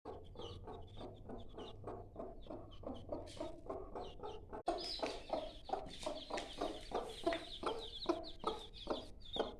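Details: Mother hen with five-day-old chicks: steady low clucks about three per second, with high thin peeping of chicks above, and a faint low hum underneath.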